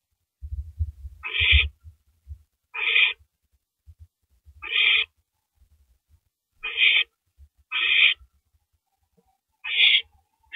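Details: Owl tearing apart a big rabbit at 3:33 AM on April 9, 2012; loud low scraping and thumping at the start, then a steady series of short, harsh, hissy screeches every one to two seconds.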